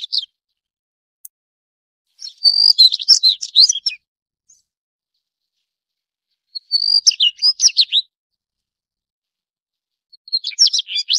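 A Daurian redstart gives high, scratchy bursts of quick twittering notes, each lasting one to two seconds, with pauses of about three seconds between them. The background is quiet.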